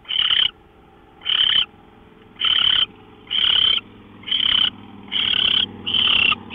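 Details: Owl on a live camera before dawn, March 24, 2013, 5:27 AM; rough, breathy screeching hisses, each lasting about half a second, coming roughly every second with a faint low hum beneath.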